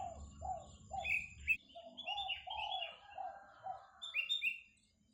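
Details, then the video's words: Spotted dove calling actively: a series of low, hollow coos repeated about every half second, with other birds chirping higher at the same time and a low rumble early on. "burung puter kuk 2 gacor"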